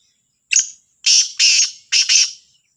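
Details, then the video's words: Kala Sindhi teetar, the black francolin, giving its morning call, Sahiwal teetar: one short harsh note, a pair of longer grating notes, and a closing stuttered double note, crisp and loud against a quiet background. "کا لا تیتر کی صبح کی آواز | Kala Sindhi Teetar Ki awaz"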